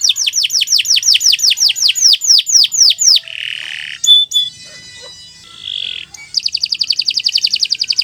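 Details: Fast canary song for training: a dozen descending whistled sweeps about four a second, a buzzy rasp, a short pure whistle, another rasp, then a high rolling trill.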